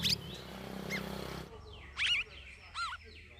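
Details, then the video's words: Captive straw-headed bulbul (cucak rawis), kept in a shared aviary for its second week, singing vigorously (gacor). Two loud, rich, looping warbled phrases stand out after a noisy opening with faint high chirps. "CUCAK RAWIS DARI OMBYOKAN MINGGU KEDUA SUDAH GACOR"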